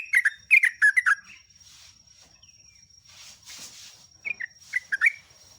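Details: Sooty-headed bulbul lure song for training captive birds: a rapid string of sweet, slurred chirps, a stretch of soft rustling noise, then a few more bright notes.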